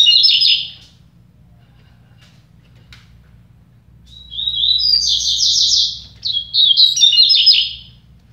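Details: Two double-collared seedeaters in a song contest: a short buzzy, trilled phrase opens, then after a three-second pause a longer, fast-stuttering, high warbled phrase runs almost four seconds, ending in rapid notes. Low hum underneath.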